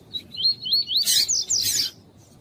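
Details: {'caption': 'Double-collared seedeater (coleiro tui-tui) warming up with a female calling, a bird prepared for tournaments. A string of looping whistled notes breaks into a loud, raspy, buzzy burst of several harsh notes.'}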